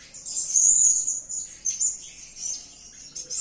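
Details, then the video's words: Blue-crowned hanging parrot, or serindit, calling: one bright, high, thin squeaky phrase that swells loudly, then fades into softer scratchy notes before a final sharp chirp. "Edisi Suara Serindit Gacor || suara gacor si Sayap Kuning memanggil"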